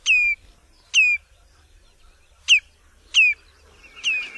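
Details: Four loud, clear whistles from a common redshank, each swooping down and levelling off, roughly one per second. A short chattering phrase closes the sequence.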